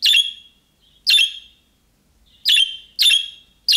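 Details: Budgerigar giving the calling-type calls of young birds, which provoke answers from other budgerigars. Five rough, bright chirps, the later ones coming closer together.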